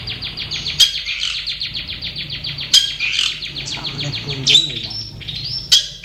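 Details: Long-tailed shrike singing in its natural habitat: a fast train of evenly repeated high chattering notes, broken by sharp bright accents and short rising twitters, with a faint low hum underneath.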